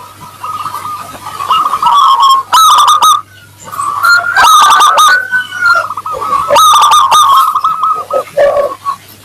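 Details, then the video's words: Constantly singing local zebra dove with a crystal voice, played to lure others into answering: wavering rolling coo trills punctuated by three clusters of quick, bright staccato notes, plus a faint background hum. "Perkutut lokal gacor suara kristal pancingan perkutut ampuh bikin cepat nyaut"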